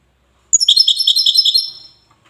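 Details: Single phrase of Wedani-style European goldfinch song from Safi, Morocco: a bright string of about ten rapid, ringing high notes fading out at the end.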